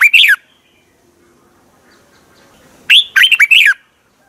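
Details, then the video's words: Red-whiskered bulbul song from Thailand, played to excite caged birds: a short burst of slurred whistles near the start, then after a quiet gap a loud phrase of four or five bright, warbled notes rising and falling. "เสียงนกกรงหัวจุก สำหรับต่อ หรือ เปิดให้นกคึก เสียงเพราะๆ เสียงดีมาก เต็ม, chao mao"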